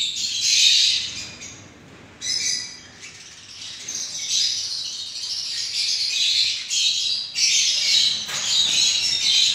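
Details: Several pet Gouldian finches kept for breeding chatter in a dense, continuous stream of thin, high chirps and twitters, calling over one another with brief lulls.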